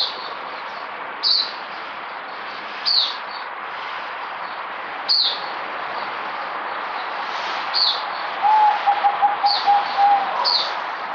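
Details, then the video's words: Merbok (zebra dove) kept as a song bird, recorded 8 May 2020, gives a soft staccato cooing trill of quick repeated notes near the end, amid a loud hiss and sharp high chirps from other birds every few seconds. "Merbok Zebra Dove"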